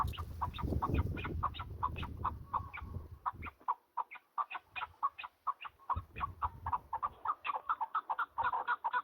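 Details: A partridge in the mountains gives a fast, steady run of short, hoarse clucking notes, about four or five a second, with wild birds around. Low wind rumble comes and goes.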